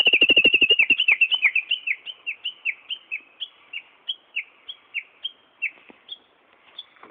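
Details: One wild Japanese bush warbler singing alone in the prefectural forest of Bunka no Mori park on 13 April 2011, with a loud quick burst of sharp notes that slows into a long run of evenly spaced descending whistled chips, about three per second.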